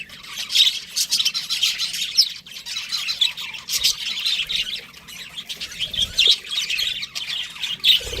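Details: Pet budgies, a breeding pair, giving a steady run of soft warbles, scratchy chirps and occasional sharper squawks, with a low knock near the end.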